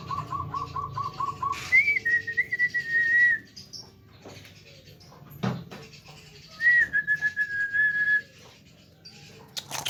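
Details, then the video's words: Tame Javan myna talking: a quick run of short even pulses leads into long level whistles, a pause with a thump, then another sustained whistle, with low background hum. "BURUNG JALAK KEBO JINAK PANDAI BICARA"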